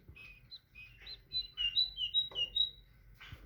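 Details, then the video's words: A tit gives a short run of bright, high whistled notes, paired and slightly falling, repeated about five times in quick succession, preceded by a few softer chirps. "تغريد طائر الحداد(القرقف)"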